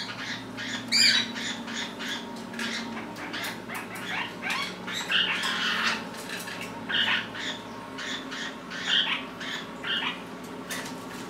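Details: Pet lineolated parakeets, one hopping in front of the camera among its companions, chatter in short, harsh squawks and chirps, several each second in irregular bursts, with a faint steady hum beneath.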